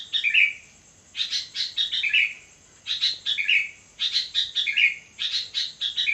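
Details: Sooty-headed bulbul in full song at midnight, delivering loud grouped chirps that slide into a lower warbled ending, three clear phrases separated by short pauses, with a thin continuous high tone behind.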